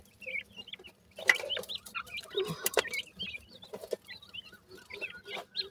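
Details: Francolin chicks, the Indian teetar, chirping in thin high peeps and little wavering twitters, several per second, with a burst of rustling and clatter near the start and faint low hum.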